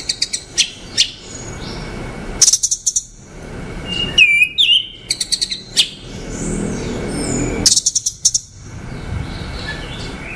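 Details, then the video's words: Orange-headed thrush song of scattered high, quick chirping notes, a brief looping whistled phrase near the middle, and further short bursts separated by quiet gaps. "Tiếng chim Hoét lửa"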